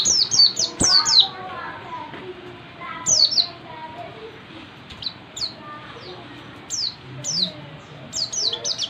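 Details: Oriental white-eye rehearsing a dense ngalas-style song: rapid runs of high, sharp falling whistles at the start and end, with sparser single whistles and faint lower notes between.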